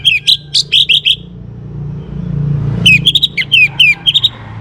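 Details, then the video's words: Young orange-headed thrush from northern Bali, used to prompt other caged birds into singing, delivers two bursts of rapid, clear whistled and slurred notes separated by a quiet pause with low traffic-like rumble. "ANIS MERAH Muda Gacor Untuk Pemancing Burung Berani Berkicau"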